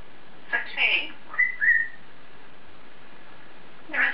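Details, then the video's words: Pet African grey parrot chattering alone in its cage, a raspy spoken-sounding burst then a short two-part whistle, and another rough syllable at the end; indoors. "African Grey Parrot Taking To Himself In His Cage!"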